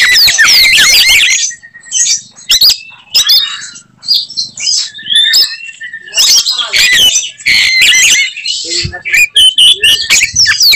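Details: Kacer, or Oriental magpie-robin, in provocative fighting song said to anger other males of its kind; loud tangled high warbles alternating with gaps, a sustained thin whistle and scattered sharp clicks.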